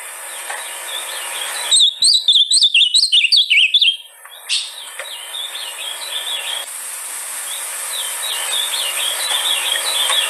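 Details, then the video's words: Ultramarine grosbeak song used to stimulate a caged bird; a loud two-second burst of rapid, tumbling whistled notes, then a long hissy stretch with fainter warbled phrases continuing in the background. "canto para levantar azulao em menos de 4 minutos"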